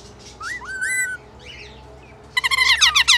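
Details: Singing rainbow lorikeet said to be in love: smooth rising whistles and a harmonic squeal, a quiet buzzy note, then a loud burst of fast, harsh chattering notes.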